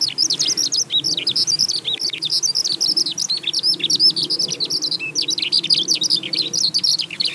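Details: Eurasian skylark singing while rising into the sky in song flight, a spring scene from northern Japan: a rapid, unbroken stream of high, chirping and warbling notes that flows on without a pause, with no other clear sounds.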